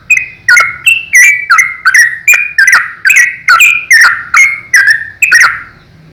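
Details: Yellow-vented bulbul in energetic full song, used as a master recording for training young bulbuls. Loud, rapid liquid chirps and slurred whistles repeat nearly twice a second, each with a sharp bright attack, over a faint low hum.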